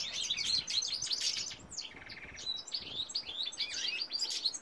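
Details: Male European goldfinch in full song, a bright tumbling twitter of high chirps with a short mechanical buzzy trill in the middle before the tinkling phrases resume.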